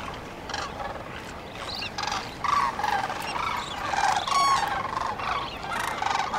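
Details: Sandhill cranes at dawn along the Cosumnes River: a softer start building into overlapping rattling bugles and higher rising notes from several birds, calls coming in uneven pulses.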